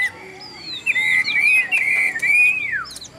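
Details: Chinese hwamei kept by a bird seller in Vietnam and described as a strong singer, giving a long, smooth, wavering whistle that slides up and down before dipping at the end, with faint background knocks.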